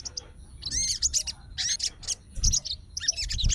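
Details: Sooty-headed bulbul of fighter type responding to a rival's song: brief clusters of sharp, scratchy chirps and a few whistled rising slurs, coming in quick separate bursts with short pauses, plus low bumping noises.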